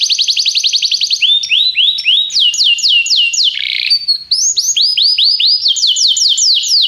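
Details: Training song for a canary, meant to encourage heavy singing: a fast rolling trill opens, followed by series of clear descending whistled slurs, a brief buzzy note, then more rapid repeated swooping notes, bright and continuous.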